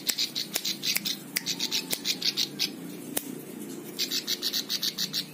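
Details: Plain prinia song meant for tutoring other birds: rhythmic groups of high, buzzy pulsed notes with brief gaps, plus occasional sharp clicks and steady low background hum.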